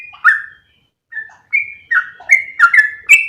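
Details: Lure call of a yellow-vented bulbul, used to attract other bulbuls: a few gurgling, slurred whistles with a gap after the first note, then speeding into quick paired chirpy notes.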